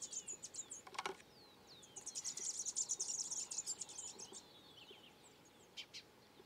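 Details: Collared warbling-finch in Peru: sharp chips and a single click, then a fast, high-pitched trill for about two seconds, easing into thin descending whistles with a couple of final chips.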